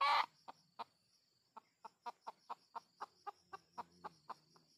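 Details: Junglefowl lured in the wild: a loud harsh note opens, then sparse clucks quicken into an even, rhythmic series of about a dozen sharp pulses, with insects droning high behind.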